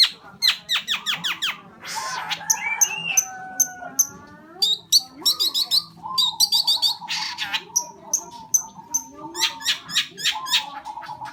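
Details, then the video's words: Long-tailed shrike singing energetically: fast runs of sharp clicks and chips, scratchy buzzes, slurred whistles and squawky notes in a dense varied medley, with a faint low background hum. "suara cendet gacor"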